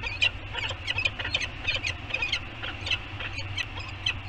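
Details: Nesting Peregrine falcon pair on Anacapa Island, California, on 7 January 2021, chatting around the nest bowl during a visit: quick, scratchy bursts several times a second, fairly high, over a steady low rumble of wind.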